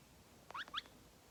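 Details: Tame green-cheeked conure, male, 2.5 years old, snuggling up to his owner: a sharp click followed by two brief bright rising beep-like chirps in under half a second, indoors and otherwise quiet.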